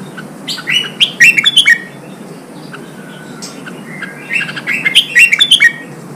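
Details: Red-whiskered bulbul singing, played to stimulate and train birds for song contests. Two bursts of bright, warbling whistled notes, each about a second long, separated by a few seconds of near quiet.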